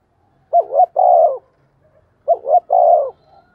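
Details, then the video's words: Decoy spotted dove cooing to draw in wild birds: two clean, evenly spaced phrases, each a quick double note then a drawn-out, smooth low coo, in a quiet setting. "Chim cu gáy mồi chai thúc và gáy gọi mới nhất/ chim cu gáy kích bổi"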